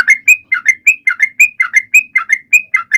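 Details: Sooty-headed bulbul singing loudly, used to prompt other birds to join in and to coax silent birds into song; bubbly, slurred whistled notes repeated rapidly in short pairs, with faint high overtones.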